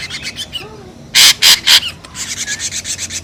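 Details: Ashy drongo lure recording: soft rasping pulses, then three loud harsh scraping notes close together, followed by a quicker string of fainter rasps.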